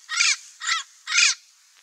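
Three harsh, raspy squawks from a turquoise-fronted parrot, each about a quarter second long and spaced roughly half a second apart; nothing else is heard.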